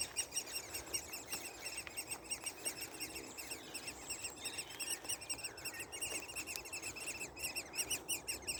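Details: Young woodpeckers inside a nest, quite vocal: a dense, continuous chorus of high, thin, rapidly repeated chittering notes, pulsing about three times a second with layered harmonics, over light background hiss.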